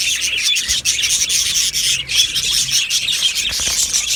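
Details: Budgies singing and chirping together in an aviary colony, a bright, continuous chatter of squeaks, chirps and thin whistles, with a couple of brief lulls.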